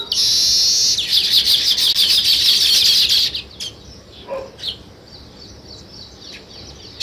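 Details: Sparrow chirping beside weaver birds building nests: a dense, loud wash of overlapping high chirps for about three seconds, then a few scattered thin chirps over quiet background.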